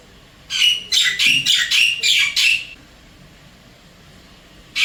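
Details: Wild Javan myna at an apartment in Singapore calling to its mate: a quick burst of six harsh, buzzy squawks about three per second, then quiet and the start of another note.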